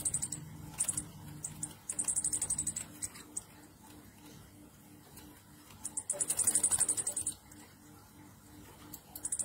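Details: Orange-headed thrush singing ngecir nratak, a lure track meant to spur other thrushes into song: short high trill bursts early on, then a longer, louder run of rapid piercing notes near the middle, with quiet gaps and a low background hum.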